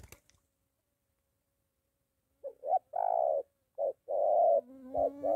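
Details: Spotted dove near home, a molting decoy in training meeting a wild dove. A brief knock is followed by silence, then paired low coos, short then long. A steady low hum runs beneath the last notes.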